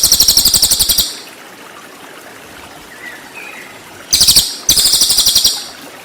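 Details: Cililin rapid-fire 'tembakan' song, used to teach white-rumped shama: a buzzy high trill ending, a quiet gap with faint twitters, then two more quick rattling bursts close together.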